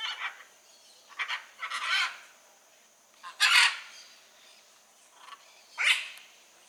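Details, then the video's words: Blue-and-yellow macaw in the wild giving loud, harsh squawks, about five raspy bursts spaced by pauses of a second or more, the later ones strongest. "Arara Canindé na natureza"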